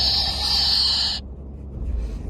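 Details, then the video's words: A male Moluccan cockatoo in a travel cage during a 5.5-hour car ride, hungry, thirsty and miserable, gives a loud, harsh, sustained scream for about a second that his owner likens to a baby bird's cry, over low rumbling car noise. "Cockatoo can't take the drive anymore and starts to cry like a baby bird or monster or dinosaur"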